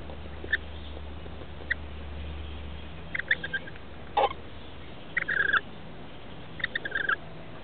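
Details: Nestling rainbow lorikeets aged 21 and 17 days, in a nest in a roof on 23 October 2013, being fed by their parents: scattered short chirps, then bursts of fast buzzy chattering, with one sharp knock and a low hum beneath.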